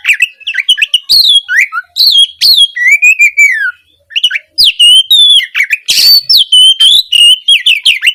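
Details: Oriental magpie-robin in energetic, continuous gacor singing, used as a master recording to provoke a silent bird into answering: rapid varied whistled phrases, upslurred and downslurred notes, one long descending whistle, and a harsh buzzy burst near the end.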